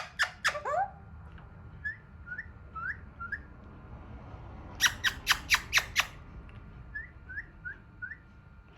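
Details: Hand-tame raw Alexandrine parakeet trying to talk indoors: a couple of loud harsh squawks, soft upslurred chirps, then a tight burst of five rasping squawks and more quiet chirping, with low background rumble.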